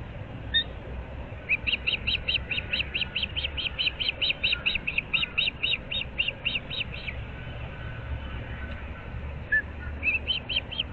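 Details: Osprey at a nest in Naples, Florida, 06:37 on 15 April 2024: an isolated chirp, then a long burst of about twenty-five rapid piping whistles, a pause, and a fresh burst starting near the end.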